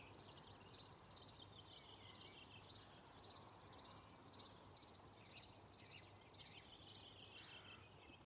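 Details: At Nolby on 23 June 2021 a river warbler sings from a lupin meadow: a sustained high, buzzing trill of rapid ticking pulses, rhythmically pulsing in loudness, ending abruptly near the close, leaving quiet background.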